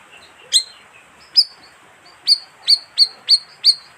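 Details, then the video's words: Bayeman call played to lure wild birds: one louder opening note, then six crisp downward-flicking chirps ending in high whistles, coming faster toward the end, every third of a second. "suara pikat burung bayeman"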